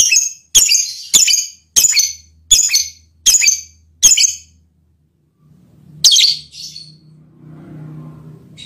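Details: Lovebird mating call with its effect on the male partner: a quick series of seven harsh, high screeches about half a second apart, then a pause, one more screech and fainter follow-up notes over low background noise.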